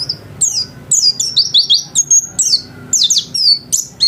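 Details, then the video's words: Home-kept white-eye in full, steady song, pouring out a dense run of high, thin whistles that slide up and down in quick sweeps, with barely a gap between phrases over faint indoor hum. "Burung pleci gacor kelas rumahan"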